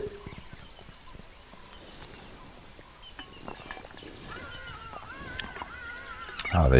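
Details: Hadeda ibises on an African morning safari, 23 September 2023, give a run of harsh, arching, nasal calls, repeated quickly, as they head off to start the day foraging. The outdoor background is quiet.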